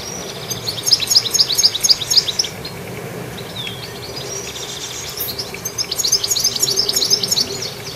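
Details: Active goldfinch giving two bursts of rapid, high twittering chirps about four seconds apart, with quieter scattered notes between, over low background rumble.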